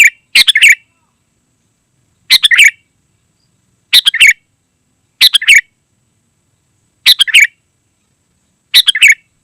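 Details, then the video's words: Sooty-headed bulbul singing densely, used to call wild birds in the forest and as a tutor for caged birds at home: short bursts of bright, chattering whistled notes, six phrases spaced about one and a half seconds apart, silence between. "Suara Burung KUTILANG GACOR Sangat Rapat ||Ampuh Untuk Memanggil KutiLang Liar dan Masteran"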